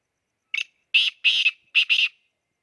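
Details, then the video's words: Excited black francolin giving a full harsh phrase: a brief opening note followed by four loud, grating, scratchy notes in two close pairs over about a second and a half, with no other sounds. "kala teeter masti men Bolta howa کالا تیتر مستی میں بولتا ھوا"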